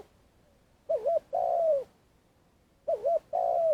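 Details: Spotted dove used as a decoy for trapping, giving its long calling: two phrases, each a quick wavering double coo followed by a long, slurred, falling coo, about two seconds apart. Quiet background.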